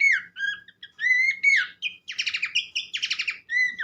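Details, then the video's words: Song of a Horsfield's babbler (pelanduk semak), a recording meant to set other birds singing. Looping whistles rise and fall, then two bursts of rapid rattling trills, and the song closes on a clear whistled note. "gacor burung pelanduk semak"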